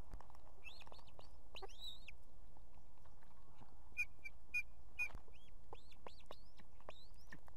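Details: Nesting female osprey in Estonia with two chicks, calling for the male to deliver food: a run of upslurred whistled cries, a few flat piping notes mid-sequence, then quick rising yelps repeated every half second.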